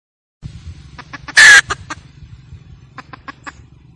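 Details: Hen cackling, recorded for use as a lure: a few soft clucks, then one loud harsh squawk, followed by more spaced clucks over a faint low hum.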